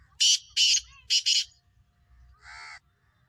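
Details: Black francolin uttering three loud, harsh, scratchy bursts in quick rhythm, then one softer, nasal, drawn-out note after a short pause.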